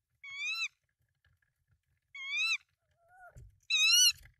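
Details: Tawny owl at a nest in Denmark, 24 March 2024, with three eggs and prey brought in, giving three high, wheezy, mewing calls about every one and a half seconds, with a softer falling note between the last two.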